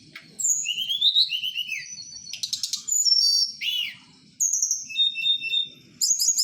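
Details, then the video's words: Blue flycatcher (tledekan) of Merapi singing at night, a lively string of rising whistles, rapid buzzy trills, clear slurs and repeated paired notes, loud and close with a quiet background. "tledekan Merapi"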